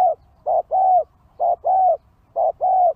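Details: Spotted dove luring call used to attract wild birds: three clear paired coos, a short note followed by a longer level one, repeated about once a second, on a quiet background.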